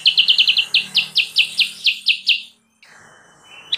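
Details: Wild-bird lure of sooty-headed bulbul: a very quick stutter of chips, then a slower run of eight sharp notes, followed by a quiet gap with soft background hiss.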